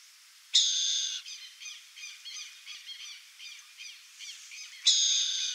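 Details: Burrowing owl (coruja-buraqueira) calling in the wild in Brazil. Two loud, harsh, hissing rasps, each about two-thirds of a second, frame a run of softer, quick chattering notes.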